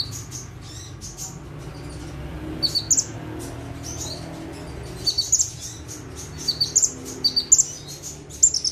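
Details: Bar-winged prinia (ciblek) in full tembakan singing from one perch; after a noisy start, sharp high chirps and short twittering bursts come in clusters through the second half, growing denser toward the end.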